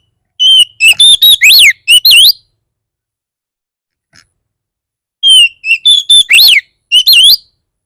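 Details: Oriental magpie-robin 'bar bar' song meant to make other magpie-robins respond: two loud bursts of shrill whistles, each opening with a steady note followed by rapid up-and-down sweeps, separated by about three seconds of silence.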